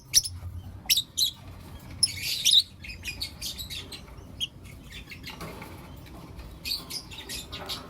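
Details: Lovebirds, Blue Opaline and Lutino Opaline, chirping in the morning: short, sharp, high chirps in scattered bursts, a dense cluster around two seconds, then sparser clicks and chirps over a faint low rumble.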